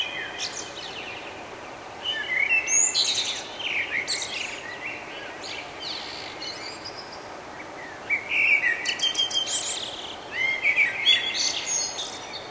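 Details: Nightingale morning song recorded in Budapest, Hungary, in May 2009 on a Canon Powershot SD1000 camera: high varied phrases of whistles, clicks and rapid note series in two bursts over a constant hissing background noise.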